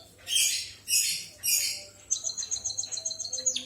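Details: A white-headed munia sings with canary-like notes. Three harsh, hissing bursts come first, then a quick string of thin, high, ticking notes that rises at the very end.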